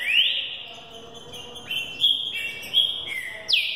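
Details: Young Green-winged saltator trained for the 2018 season, singing over twenty times a minute: a rising whistle into level bright notes stepping between two pitches, closed by a sharp falling slur.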